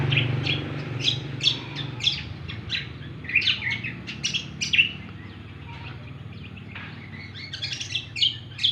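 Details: Cucak kombo singing actively: a busy run of sharp, high chirps and short whistled notes in quick bursts, pausing briefly near the middle, over a low rumbling background hum.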